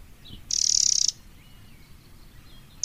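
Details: Wild Eurasian wren giving a single loud buzzing churr lasting about half a second, then quiet, before another churr begins at the very end.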